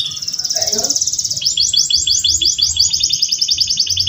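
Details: Home-bred male canary in a long master song used to train other birds: a fast, even, high rolling trill of rapidly repeated notes that shifts into slightly slower, sharper sliding pulses.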